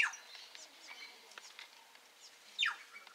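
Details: Plush-crested jays in a flock: soft, scattered chattering notes, then one loud call sliding steeply downward from high to mid pitch near the end, over a faint steady hum.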